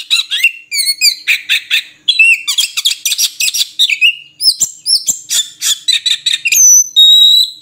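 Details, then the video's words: Oriental magpie-robin song with rapid rattling chatter, short upslurred whistles and, toward the end, two long clear steady tones, loud and continuous against silence. "Suara Burung Murai Kampung"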